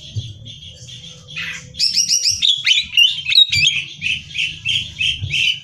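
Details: Greater green leafbird in lively, nonstop contest-training song: soft whistles, then a sudden loud run of rapid twittering and chattering notes that keeps going, with a low hum in the background.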